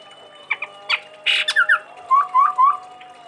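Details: Sumatran Chestnut-rumped babbler, singing strongly: a few sharp clicks and a rasping burst, then three clear rising whistled notes repeated evenly over a steady background hum.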